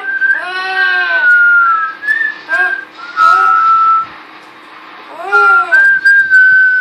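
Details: Young whistler among pet parrots, a female kept indoors, trying her first whistles: arched harmonic notes alternating with clear steady whistles, several phrases with short pauses between them.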